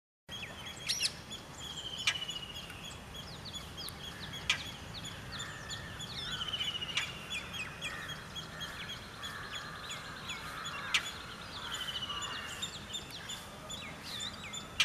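Indian roller giving harsh, sharp calls among a busy chorus of high chirps and whistles.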